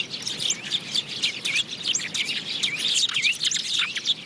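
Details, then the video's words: Several house sparrows chirp at once, roughly three notes a second in an irregular stream of bright chirps and curved, slurred calls. "Sparrow chirping | goraiya sounds"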